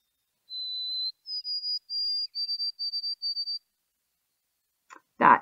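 White-throated Sparrow: a long, pure whistled note, then a step up to a higher pitch repeated in five or six shorter whistles. A brief click or bump follows at the end.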